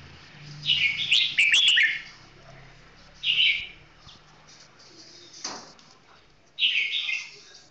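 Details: Red-whiskered bulbul giving slow, clear song: a longer rich warbled phrase near the start, then two shorter bright, gurgling phrases spaced about three seconds apart, over a faint low hum.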